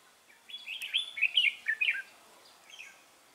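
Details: Red-whiskered bulbul at a trap on 3 November 2018 delivers one rich, fast phrase of bubbling, slurred whistles that rise and fall, followed by a softer trailing note.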